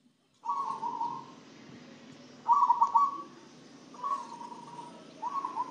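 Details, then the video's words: Song of a zebra dove given herbal spice feed to make it sing more; four quick, bubbling trilled coos of steady pitch, each lasting under a second, spaced by brief gaps. "Perkutut setelah di kasih pakan racikan ramuan rempah rempah jadi rajin manggung dan sehat"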